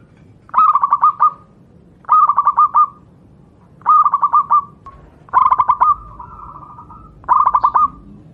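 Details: Wild local Javanese zebra dove singing for training other doves: five phrases of crisp, rapidly stuttered coos, roughly every one and a half seconds, one phrase trailing into a smooth held tone.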